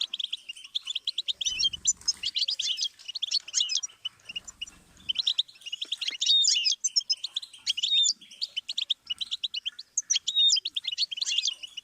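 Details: Goldfinch song presented as a learning stimulus for songbirds: a fast, continuous tinkling twitter of high, bright notes, with buzzy trills and short whistled slurs woven through, clean with no background sounds.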